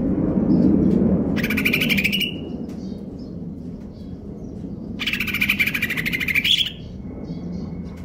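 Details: Caged greater green leafbird in stable condition singing kejer nembak konslet: two long harsh rattling buzzy trills several seconds apart, each ending in a rising whistled note, over low rumbling background noise.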